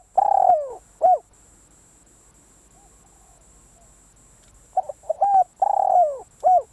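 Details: Decoy spotted dove cooing: two full phrases, each a rolling, downward-gliding coo and a brief final note, the second led in by a few clipped stuttering coos, separated by a long quiet gap.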